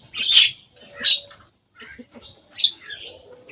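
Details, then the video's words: Javan myna perched on top of a cage, uttering three loud, grating squawks about a second apart, with softer clicking notes between them. "Jalak kebo datang main di atas kandang."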